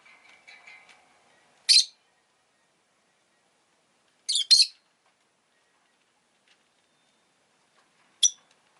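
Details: Rosy-faced lovebird chirping: a faint twittering at the start, then sharp, bright chirps given singly or as a quick double note, separated by several seconds of quiet.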